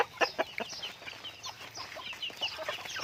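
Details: Pet chickens in a flock: a few loud sharp clucks open, then many soft high arched peeps and chirps overlapping from several birds.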